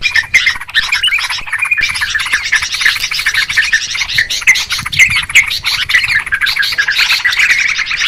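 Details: Yellow-vented Bulbul in busy, noisy chatter recorded as a trapping lure, a dense continuous stream of overlapping scratchy, jumbled notes with no real pauses.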